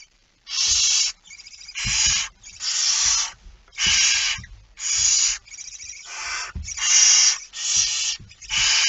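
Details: Barn owl holding a mouse at 01:49 at night on 17 September 2019, giving a fast run of harsh, airy hisses of uneven length, closely spaced and overlapping, with low thuds underneath.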